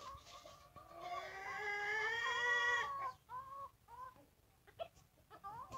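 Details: A rooster crows in one long, drawn-out, harmonic call that holds steady for about two seconds. It is followed by shorter, broken clucking notes.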